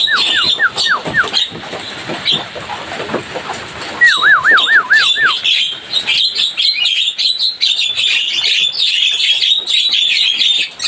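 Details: Javan myna in full voice: a short string of falling whistles opens, then after a gap a fast bout of about five looping, wavering whistled notes, with dense high chirping chatter continuing throughout.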